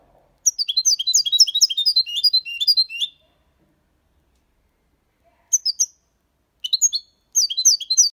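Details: Six-month-old goldfinch in Malaga copy song: a three-second stream of fast, sharp, high twittering, a silence, then several short clipped bursts of the same chattering notes.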